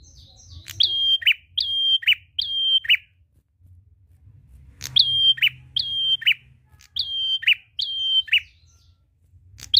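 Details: Prinia in long 'ngalun' song to lure other birds: a run of three whistled notes, a pause, then five more, each a flat sustained whistle closing with a drop to a rough lower note; quiet background.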